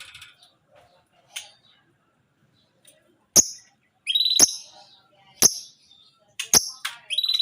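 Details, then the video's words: Lovebird, tame but fierce, making 'ngekek' sounds: widely spaced sharp clicks, each followed by a short high whistled chirp, growing more frequent toward the end, with quiet gaps between. "Love Bird jinak tapi galak, ngekek konslet"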